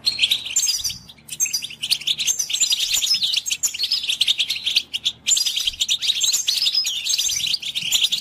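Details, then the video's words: A goldfinch sings a fast, tinkling twitter of high liquid notes mixed with buzzy trills, running almost without a break apart from two short pauses. "An amazing stimulus for goldfinch songbirds"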